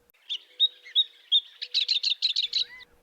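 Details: Abert's Towhee in an Arizona desert backyard in spring, singing from low dense shrubs: a simple series of high, clear, evenly spaced repeated notes quickening into a short run of rapid chirps about seven per second; a faint steady hum underneath.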